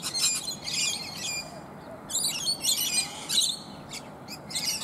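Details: Many rainbow lorikeets feeding on native bottlebrush flowers high in a tree; harsh, screechy high chatter in bursts, several birds overlapping, with quieter gaps between.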